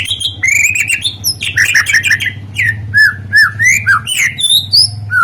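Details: White-rumped shama song used as a lure for other birds: a continuous flow of varied fluting whistles, slurs and quick trills, over a steady low electrical hum.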